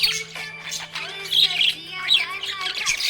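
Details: Cheerful budgie chattering with quick high chirps and squeaky warbles that come in loud bursts, above a continuous low hum and a steady droning tone.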